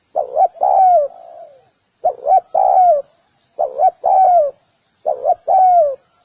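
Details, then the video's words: Spotted dove cooing steadily, a three-part phrase of two short notes and a longer descending coo, given four times roughly every one and a half seconds. "សម្លេងសត្វលលក យំលឺច្បាស់ល្អណាស់ 🐦🔊100% | Spotted Dove 🐦Call bird sounds"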